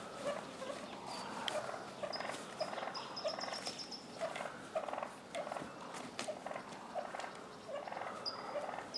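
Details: Tom wild turkeys jousting in a neighbourhood yard in Willits, California, Mendocino County. Steady rattling purr-like bursts come roughly twice a second, and short high whistled notes from a songbird break in now and then.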